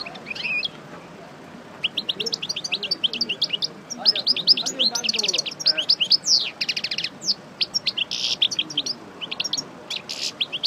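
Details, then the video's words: European goldfinch, parva race, a pairing bird after moult, singing a long rambling twittered phrase of sharp chirps, trills and buzzy notes, with faint low murmuring behind it. "Chardonneret Parva Coupleur Sortie De Mue Repasse Le Chant"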